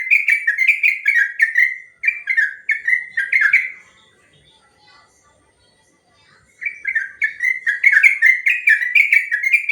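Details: Sooty-headed bulbul with a long, fast ropel song, recorded as master material to train other birds. Bursts of quick, liquid whistled notes rise and fall, pause for a couple of seconds, then resume even louder.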